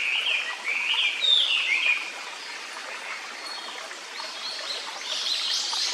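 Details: Japanese paradise flycatcher singing in a quiet forest beside a clear stream, near a nest; song rendered as tsuki-hi-hoshi, hoi hoi hoi. Slurred whistled phrases sweep down and up in the first two seconds, then other high birds chirp faintly.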